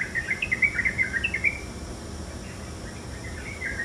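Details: A Yellow-vented Bulbul, recorded early in the morning, gives a quick burst of bubbly, chirping notes for about a second and a half, then softer scattered notes over a low background rumble.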